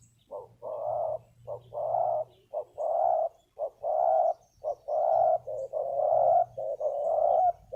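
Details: Wild spotted dove called in by a ground decoy, noted for a deep, powerful voice: steady rhythmic hoarse cooing, short notes alternating with longer rolling coos, about one per second, with a faint low hum.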